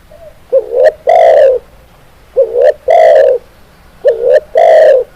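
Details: Spotted dove (tekukur) song used to tutor birds into singing. Three close phrases about 1.7 seconds apart, each two quick upslurred coos and a long, loud, resonant coo.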